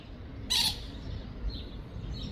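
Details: A common moorhen in Tivoli landscape park, Ljubljana, on 21 June 2024 gives a single loud, harsh squawking note over a low background rumble, with faint higher bird notes following.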